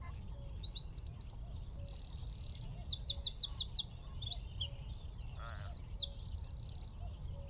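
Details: Loud, rapid song of a Eurasian wren perched in a tree at Wicken Fen, roughly 15 m off, shotgun mic: tumbling high twitters, two sustained trills and a run of sharp repeated notes; a brief lower call near the end.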